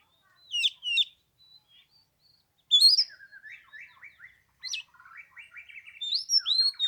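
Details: Oriental magpie-robin singing as a lure for wild birds on the third day of Tet, in 15-degree cold: a few sharp high notes, then a loud whistle and a lower, buzzy warbling series rising into clear whistled phrases.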